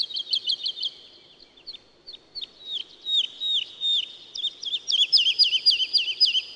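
A woodlark sings quick series of sweet, liquid notes. A fast trill is followed by repeated falling, slurred whistles, all high-pitched and fluting.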